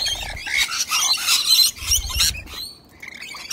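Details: Two corellas on a rainy day, one delivering a kick to the other, letting out grating squawks in quick succession, followed by a quieter stretch and low rumbling noise.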